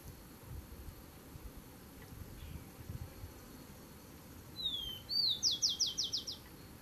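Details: After a few quiet seconds of faint background noise, a rufous-collared sparrow defending its territory sings once: a falling whistle, a rising note, then six quick high trill notes.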